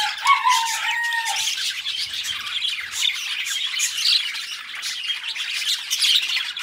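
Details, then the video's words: Two pet budgerigars chattering: a short whistled note rising then falling opens, followed by steady high twittering, scratchy warbles and chirps packed closely together. "Relaxing Budgie Sounds | Birds Sing You to Sleep Peacefully"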